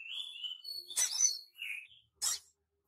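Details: Young crimson sunbird learning its song: thin, high whistled notes, a drawn-out sliding whistle followed by short higher chirps, broken by sharp broadband clicks.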